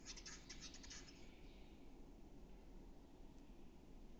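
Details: Western capercaillie at Metsis, Estonia, in April 2018, giving a run of rapid, sharp, dry clicks for just over a second. Quiet, continuous low background rumble follows.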